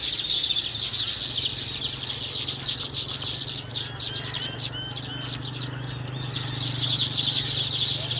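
A colony of baya weavers keeps up a dense, high, sizzling chatter of rapid chirps that swells and eases, over a low steady hum.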